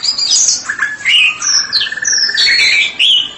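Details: White-rumped shama singing: a brief phrase of high sliding whistles over a rapid buzzy trill, ending in bright looping notes.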